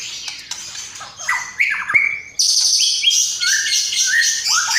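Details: Murai batu (white-rumped shama) singing actively in a masteran training recording, its song filled with phrases of sparrow, lovebird and kapas tembak: bright whistled slurs rising and falling, then dense high rapid twittering.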